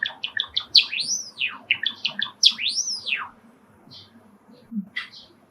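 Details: Caged-home pet sakura Java sparrow, a male, sings as sparrows call from a park beyond the screened window: bubbly clicking notes and two sweeping arched whistles, then a few faint scattered chirps.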